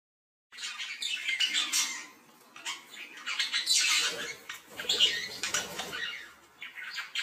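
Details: Captive budgerigars mating: scratchy squawking chatter in uneven bursts, harsh notes and short chirps rising and falling, with brief quieter gaps.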